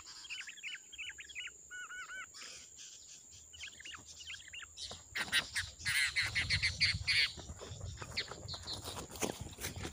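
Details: Wild sooty-headed bulbul singing loud, busy song: short bubbly whistled phrases repeated rapidly in the first three seconds, then fading into broad rustling and handling noise with some further chirps.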